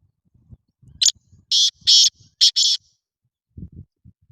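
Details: Black francolin calling: a brief sharp opening note, then three loud, harsh, rasping notes, the later ones in a close pair, with faint low rumbling before and after.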